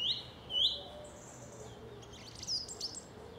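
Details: South England song thrush gives a loud whistled note twice in quick repetition, then a pause and a flurry of very high, scratchy twittering notes.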